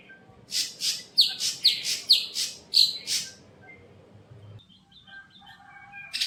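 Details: Caged untrained greater green leafbird in a bird kiosk: about eight raspy, downslurred chattering notes in quick succession, each with a piercing whistled accent, then quieter twittering and a final burst.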